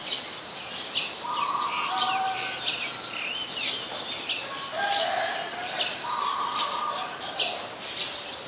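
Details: Brown-throated sunbird in Ubon Ratchathani, Thailand, 13 January 2021, recorded on a Nikon P1000: high, clipped chip notes spaced about a second apart over a backdrop of flat, droning calls from other birds.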